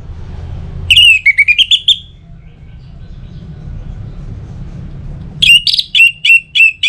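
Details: Lively whistled phrases from an orange-headed thrush, played to encourage other birds to sing; a fast slurred series of rich notes, a pause with low rumble, then a second burst of sharp repeated whistles.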